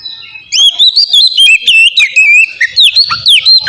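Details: Oriental magpie-robin song used as a lure for caged birds: a dense, loud flow of wavering whistles and sharp chirps repeated in quick bursts.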